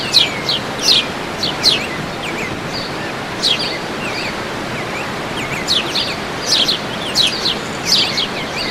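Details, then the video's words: Birdsong in the open at El Salto, Oratorio Santa Rosa: bright, sharply falling chirps in loose bursts, with brief thin rising whistles between, all over constant rushing noise. "SE ESCUCHA EL CANTO DE LOS PAJAROS"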